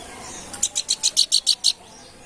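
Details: Planduk bukit, a babbler, in lively song: a brief burst of eight clipped, bright, high notes delivered evenly in about one second, then silence with faint background hiss.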